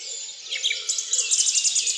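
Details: Dawn-type bird chorus recorded in France: many birds sing at once in a dense, unstructured tangle of high chirps, trills and quick down-slurred whistles, with a faint low hum beneath.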